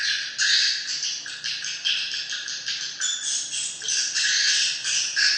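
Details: Shrill, buzzy swiftlet chirps overlap in a thick, unbroken chorus, rising and falling in short waves, with a faint low hum beneath.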